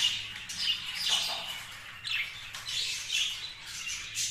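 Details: Kept budgerigar voices: repeated raspy, buzzy chirps roughly every half second, high and scratchy, forming continuous chattering with a faint low hum underneath.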